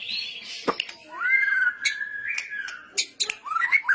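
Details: White-rumped shama in rattling kretetan style, played to prompt other birds to sing: long level whistles broken by sharp clicks, ending with a short rising whistle.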